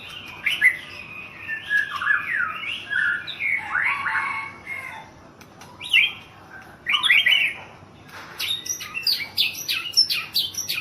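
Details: White-rumped shama, a Thai national champion, singing a long sequence of harsh chattering bursts and slurred whistles, ending with rapid clipped repeated notes.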